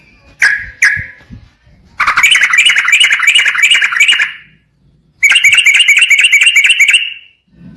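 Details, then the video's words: Sooty-headed bulbul call used as a lure to trigger singing: two clear chirps, then two long, harsh, rattling trills with a pause between them. "buktikan suara pancingan TRUCUKAN 💯% langsung bunyi"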